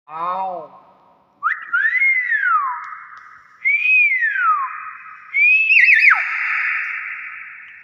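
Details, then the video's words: A tame common hill myna giving loud, clear whistles that swoop up and then slide down, three long phrases spaced about two seconds apart, each ringing on as a sustained tone. "BURUNG BEO SUARA ASLI"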